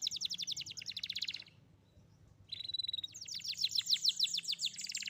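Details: Young canary song, played to prompt a canary that has stopped singing: fast high buzzy trills of rapid repeated notes, a brief pause, then a longer, louder run of quick chirping phrases with a low background hum.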